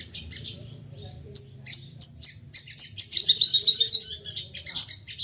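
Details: Worked-up crested jay used to spur other birds into calling: a run of spaced, piercing high whistles accelerates into a rapid, dense chatter, ending in scattered sharp notes.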